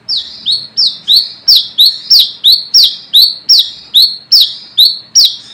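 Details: Brown-throated sunbird summoning rivals, used for luring: steady chain of about fourteen bright, high, sharply falling chirps with buzzy endings, evenly spaced and clear.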